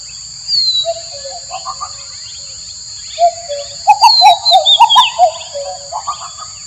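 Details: Male common cuckoo excited to mate with the female utters quick runs of low, slightly rising and falling notes in bursts, with high thin whistles of other birds and a continuous insect drone behind.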